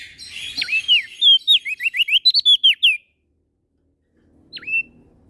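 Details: Prinia called prenjak daun, from NTB on Lombok, singing tirelessly: a rapid three-second burst of swoops and quick rising whistles, then silence, then one lone swooping note. Faint low rumble in the background.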